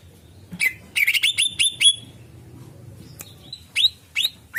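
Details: Song of the greater green leafbird, played to lure birds: a quick run of bright rising whistled notes, then a quieter pause with clicks, followed by a few separate upward-swept chirps.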